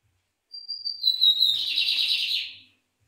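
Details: Lined seedeater from Brazil singing: a thin, high, pure whistle sliding slightly downward, then breaking into a fast, buzzy, rattling trill lasting about a second, in otherwise silent surroundings.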